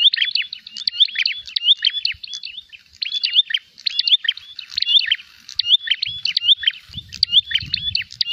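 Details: Combative prinia searching for a rival: continuous high chattering of crisp chirps and short whistled slurs in repeated phrases, with a low rumble toward the end.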